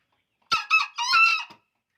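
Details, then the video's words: A single full crow from a vocal green junglefowl: about one second of hoarse, buzzy, harmonic notes in three bursts, the final one drawn out and rising slightly, with silence before and after. "ayam hutan super gacor"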